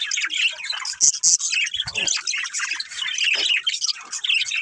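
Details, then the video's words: Playful budgerigar family chattering, with rapid high chirps and warbles mixed with a few harsher squawky notes and brief louder bursts over a steady twittering background. "Cute Budgies Chirping Sounds"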